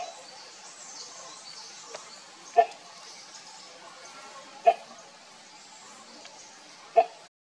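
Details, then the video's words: A Great Hornbill (Buceros bicornis) gives three loud, harsh, barking calls about two seconds apart, over a steady background hiss. "The Great Horn bill call|| மலை இருவாட்சி||ಹಾರ್ನ್ ಬಿಲ್|| വേഴാമ്പല്‍"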